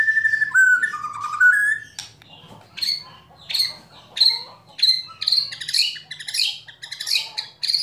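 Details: White-rumped shama (murai batu) giving sharp 'tembakan' shot notes to provoke other shamas into song: whistled slurs, then loud abrupt high notes repeated about every half second.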